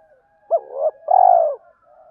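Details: Male and female spotted doves giving a provoking fighting coo for training decoy birds; a sharp opening note slurring into a wavering coo, then a sustained pulsing coo, with faint trailing notes.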